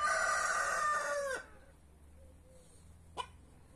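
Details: Free-range rooster in a back yard, one of Brahma, Marans, Naked Neck and White Star breeds: a loud drawn-out crow falling at its end, then quiet with a single sharp click.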